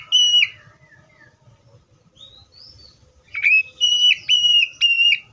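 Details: Oriental magpie-robin delivering a loud whistled opening note, a few soft sliding notes, then a series of strong, level whistles broken by sharp downward flicks, with low background rumble.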